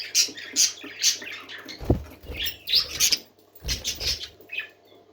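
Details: Parakeets singing happily in a steady run of bright, high chattering chirps in quick bursts, mixed with a few low thumps and soft wing flutters.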